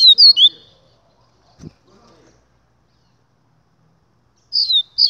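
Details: Double-collared seedeater singing in the 'Gladiador' style: short bursts of high, sliding whistled notes at the start and again at the end, with near silence and a single soft knock between them.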